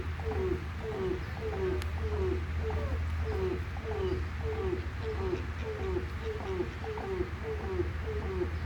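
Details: African crowned crane, also known as the grey crowned crane and listed as endangered, gives regular honking notes roughly every 0.6 seconds, with a deep steady hum beneath them.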